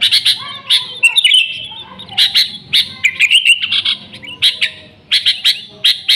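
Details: Sooty-headed bulbul in full lively song, original without fill-ins, played as a lure; loose chirps and short bubbly warbles, spread out with gaps between bursts.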